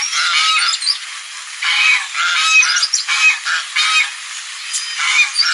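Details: Geese making noise on a lagoon: bursts of rough, nasal honking from several birds, each outburst under a second long, alternating with quieter stretches and background hiss.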